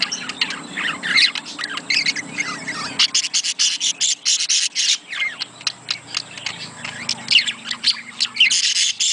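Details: Budgerigars in a sound meant to stimulate breeding: dense, scratchy warbling chatter with rasping squawks and quick twittering notes, pausing briefly near three seconds, then continuing in rapid bursts.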